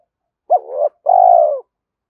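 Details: Spotted dove cooing to lure a rival, a two-part phrase: a short rising coo followed by a longer, even, slightly falling coo, low and mellow, with a clean quiet background.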